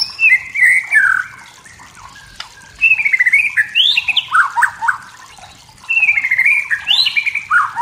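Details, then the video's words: White-rumped shama from the forest, wild, singing to stir up rivals: rich warbled phrases of whistles and quick chattering notes in bursts separated by short pauses. "MURAI BATU HUTAN SEDANG BERNYANYI MEMANCING EMOSI"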